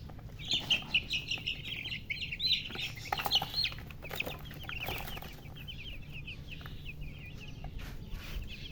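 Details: Chicks chirping: many thin, high peeping notes overlapping continuously, with a few louder sharp cheeps early on and rustling or scratching noises throughout.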